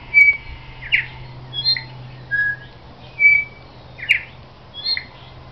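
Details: A New Zealand bellbird (korimako), recorded 13 October 2009, sings clear, chiming bell-like notes, alternating pure whistles with richer ringing phrases about one per second, over a faint low hum.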